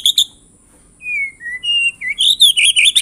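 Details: White-rumped shama lure song: a few sharp chips, then long level and falling whistles, ending in a rapid warbled flurry of high notes.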